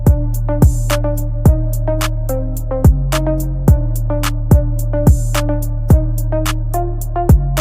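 Loud rhythmic music with steady drum beats and plucked, ringing tones, no animal voice heard.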